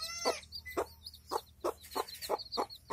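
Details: Village hen with chicks, feeding; low, regular clucks about three a second, chicks peeping high and continuously throughout.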